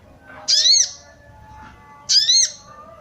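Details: Female sooty-headed bulbul calling to stir males into breeding condition. Two loud, harsh, buzzy notes, each rising then falling, are spaced about 1.6 seconds apart over quiet background hum.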